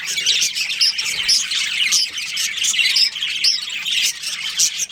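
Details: Chattering budgerigar colony, breeding pair present: a dense wash of high twittering and scratchy squawks, with a few clearer whistled notes standing out.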